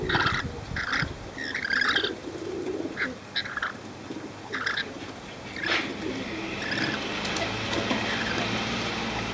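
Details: Befriended rainbow lorikeets flying free in Cromer, Sydney, 6 June 2010: scratchy, screeching call bursts repeated in the first half, fading into a hissing, rushing background noise.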